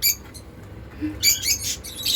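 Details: African lovebirds with unclipped wings kept as free-flying pets, calling happily; harsh high squawks, one at the start and a longer rasping burst later, over low room noise.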